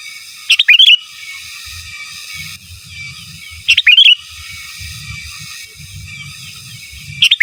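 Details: Sooty-headed bulbul singing lively giras and menggaruda style song meant as a master song for training birds; a sharp rising-falling warbled phrase repeats roughly every three seconds, with faint low background rumble.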